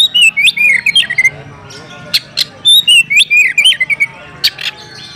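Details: Oriental magpie-robin calling out for a rival to fight: a string of clear whistled notes, rising and falling slurs mixed with sharp harsh bursts, delivered in short rapid phrases with brief pauses between them.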